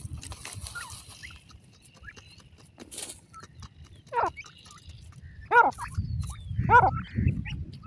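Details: Grey francolin chicks: after a few faint peeps, three louder trilled, quavering calls come about a second apart, with a low hum beneath.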